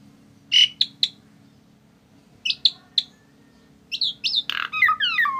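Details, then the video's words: A tame Asian pied starling calling in short clusters: a buzzy note followed by sharp chips, repeated, then a rapid run of mixed harsh chirps and falling whistles. "Burung Jalak Suren Yang Paling Jinak"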